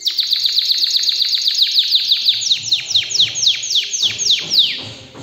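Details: Excited canary singing a fast tour of high, downward-sweeping notes, about four per second, that quicken and grow louder toward the end before fading. A faint low hum sits underneath.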